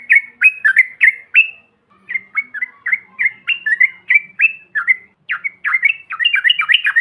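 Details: Yellow-vented bulbul call of the bahan or ombyokan style, used to provoke other birds: bubbly, fast chirped notes with quick rising and falling sweeps, in short bursts separated by brief pauses.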